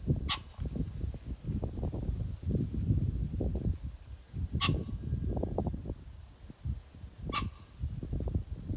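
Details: Three short, raspy crowing bursts from a pheasant, recorded 21 July 2024, spaced a few seconds apart against constant low rumble and a continuous shrill background drone.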